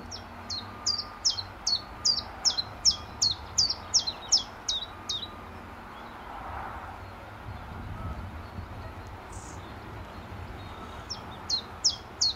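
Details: Early morning common chiffchaff at Standalone Farm, Letchworth, March 2014, moving about and preening on a greenway; a run of about a dozen sharp, squeaky descending notes at a steady pace, a pause, then the series resumes, with faint background hum.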